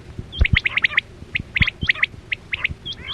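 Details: Quail, known locally as chora batera, used as a lure for net hunting in the 2024-25 season: rapid bursts of short, sharp chirps near the same pitch, clustered in quick runs, with low thumps and background hum.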